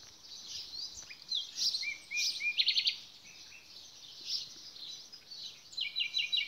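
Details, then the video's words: Nightingale giving rapid, evenly spaced repeated notes in tight bursts, separated by short chirps and pauses, with a constant hiss of distant birdsong. "bülbül resitali"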